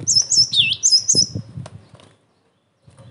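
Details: Emotional, lively cinereous tit song used for provoking and training other tits: a short fast burst of high whistles with a looping downward swoop in the middle, then quiet rumble and near silence.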